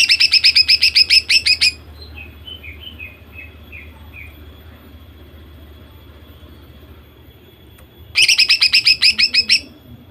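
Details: Female greater green leafbird singing to provoke males into song: a rapid burst of about a dozen harsh, bright repeated notes, a quiet gap with faint distant chirps, then another fast burst of the same repeated notes.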